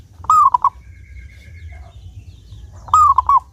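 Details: Local zebra dove from Indonesia, singing with a clear voice to act as a lure for other doves, delivers two loud coo phrases nearly three seconds apart, each a slightly falling note followed by short clipped coos, with a faint steady tone between.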